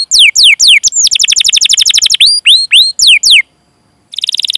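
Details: Canary 'cuit cuit' rolling song used as a singing prompt: downslurred whistles, a quick rattling roll, a few upturned chirps, a short pause, then a new buzzy trill.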